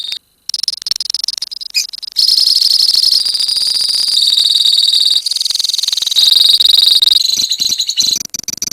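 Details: A lovebird colony keeps up a long, piercing ngekek trill, a fast rattling stream of high notes after a brief silent start, steady and unbroken for most of the time.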